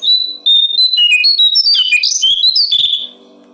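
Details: Loud, clear brown-streaked flycatcher song, a tutor recording for songbirds: continuous high warbling of rapidly alternating whistled notes, rising and falling, ending abruptly into faint hum.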